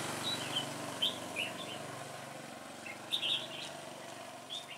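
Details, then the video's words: Red-whiskered bulbul in trap-fighting, 26 September 2017, giving brief clear whistled notes in small bursts near one second and again near three seconds, against a hissing, rumbling background. "Đẳng cấp bẫy đấu Chào mào Xòe mềm"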